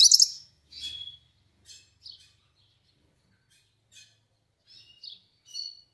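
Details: Yellow-faced siskin (pintassilgo do nordeste) giving a melodious song: scattered short high twitters and chirps with sweeping whistled notes, separated by brief pauses.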